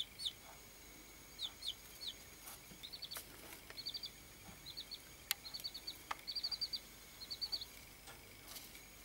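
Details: Several baby chickens raised for a study, peeping in high, thin bursts of two to five quick notes every second or so, with scattered clicks and taps and a steady background hiss.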